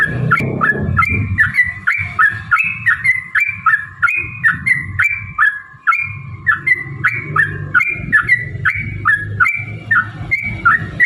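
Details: Yellow-vented bulbul in lively 'ropel panjang' long rapid song, used as a lure to set other bulbuls singing and fighting: a continuous run of short liquid notes sliding up and down, about two per second, over low rumbling background noise.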